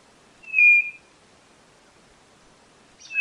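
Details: White-bellied nothura giving a single short, pure whistled note, followed by the start of another near the end, over a soft background hiss.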